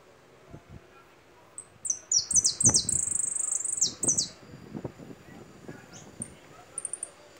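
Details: Goldfinch song with a string of quick, high, downward-slurred notes and a brief buzzy trill, then scattered thin chips, accompanied by low knocks and tapping noises.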